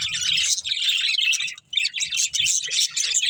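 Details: Budgerigar breeding pair giving continuous busy chirping, a rapid stream of high, scratchy twitters and warbles that barely pauses.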